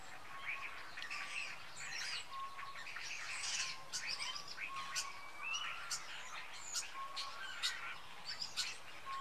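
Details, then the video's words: About 20 common starlings gathered in tall firs in Jutland, Denmark, during autumn, eating berries ahead of migration south; dense chatter of clicks, squeaks and drawn-out whistles from many birds, with a steady low whistle recurring. "Stare sammeln sich - Starlings are gathering - Stære samler sig"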